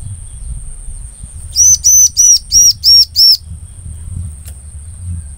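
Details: Bar-winged prinia song, the kind used to lure and catch others of its species: six sharp, high, ringing chirps in a rapid regular string, with a faint click afterwards and a constant high-pitched hum behind.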